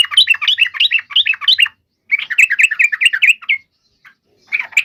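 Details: Fighting song of a yellow-vented bulbul, played to provoke other bulbuls into answering: quick runs of sharp, warbling chirps in two bursts, then a pause and a short restart, over a clean, quiet background.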